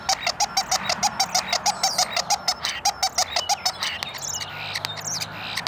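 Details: Common starling singing very close to the recorder, pecking at the lens; a fast run of short clicking, rattling notes about three per second, with squeaky whistles overhead and a buzzy, wheezy phrase near the end.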